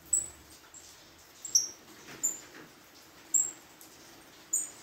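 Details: Saffron finch at a singing competition gala, giving brief piercing high whistled notes spaced about a second apart, some slurring slightly downward, with quiet low rumbling beneath.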